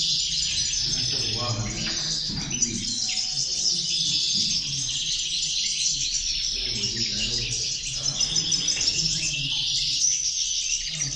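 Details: Several European goldfinches keep up a long, busy high twittering song with tinkling trills, while a person talks faintly in the background.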